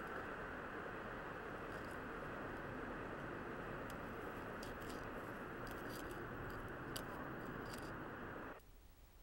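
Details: Loud continuous engine-like roar with scattered clicks and scrapes that cuts off abruptly near the end, leaving quiet room tone.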